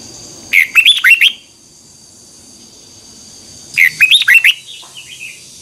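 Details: The twisting double-voice morning song of a Red-whiskered bulbul, a 2021 tutor recording for training birds. Two similar bursts of fast, looping whistled notes are separated by a silent gap, with a faint steady high whine underneath.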